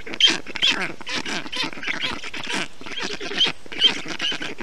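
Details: Black stork chicks in a nest in Estonia on 20 June 2021, calling in the heat while a parent brings water, moss and wet grass to cool them; harsh, rasping calls repeated about twice a second.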